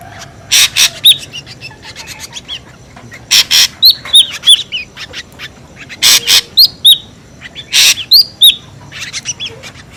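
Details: Noisy ashy drongo lure sound, alternating loud harsh rasping bursts with scattered sharp high whistled notes, some rising, others falling, in an irregular, busy pattern over a faint background hum.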